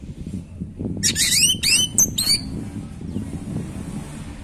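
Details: Singing orange-headed thrush, played to trigger breeding drive in other birds; a brief cluster of about four rising, slurred notes in quick succession against constant low noise.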